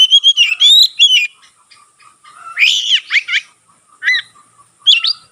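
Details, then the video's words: White-rumped shama, tail spread, singing in a way said to spark song in other shamas; a phrase of clear whistles, then a loud harsh buzzy burst and scattered single notes, quiet background. "burung kacer gacor buka ekor sekali bunyi langsung bisa merangsang kacerlain gacor"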